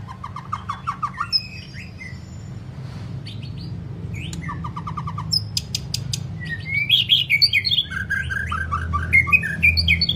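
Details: White-rumped shama, song meant to train birds to sing many phrases and long song; descending trills of short notes, sharp clicks, then a dense, rich warbling run of varied whistles, with low hum behind.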